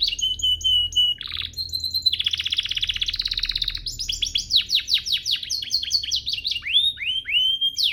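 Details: Canary singing a training master song: a high whistled note, a long buzzy rolling trill, then a fast series of descending swept notes and a closing upward slur.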